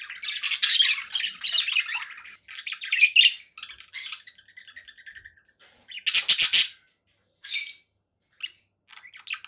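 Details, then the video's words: A conure gives harsh, raspy squawks in bursts, mixed with shorter chirps and chatter, loud and high-pitched with brief pauses between outbursts. "conure parakeet sounds"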